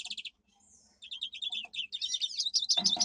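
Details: Singing domestic canary kept as a pet, its powerful song used for training: short bright notes, a thin drawn-out whistle, then fast repeated chirps building into loud rapid trills.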